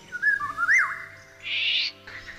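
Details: Eurasian Golden Oriole in the Kartsevsky forest outside Ryazan, Russia, where the male "meows" from a nearby tree: a short, liquid, fluting whistle, then a harsh, nasal, cat-like screech and a fainter rasp.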